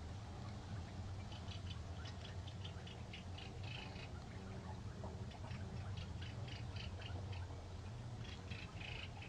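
European goldfinch twittering in quick, bright, tinkling bursts of high notes, scattered irregularly throughout, over a steady low rumble.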